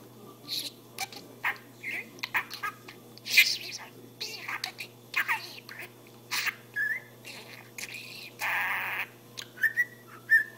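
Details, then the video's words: Talking budgerigar alternating scratchy chattered phrases with clear whistled rising notes near the end, plus one brief broadband rushing noise midway and a steady indoor hum. "Perruche Ondulée qui parle"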